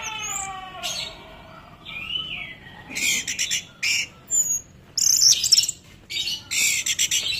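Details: Orange-headed thrush (anis merah) delivering a varied song of sliding whistles, then harsh, scratchy bursts and high chattering notes in quick irregular runs, separated by brief pauses.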